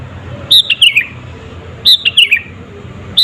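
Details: Sooty-headed bulbul singing, a lure meant to provoke rival birds: two short phrases of clear whistled notes sliding down from high to mid pitch, about one and a half seconds apart, over a low background hum.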